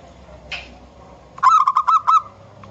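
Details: Wild local zebra dove singing a gacor song used to lure other birds: one burst of rapid rolling, bubbling coos, about five pulses in under a second, preceded by a brief faint call, with low rumbling background noise.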